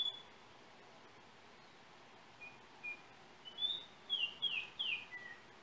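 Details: Yellow oriole from Trinidad, re-recorded on a cell phone: after a quiet start, a phrase of clear whistled notes builds from single short whistles into a run of slurred, falling notes near the end, over a steady hiss.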